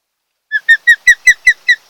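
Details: Mated osprey pair nesting on Kent Island, Maryland, July dawn: loud rapid run of downslurred whistled notes, about five per second, clean and close.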